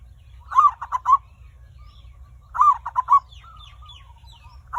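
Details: Zebra dove cooing as a lure to get other birds singing: two rapid stuttered bursts of soft purring notes about two seconds apart, each with a trailing thin whistle, over a low hum.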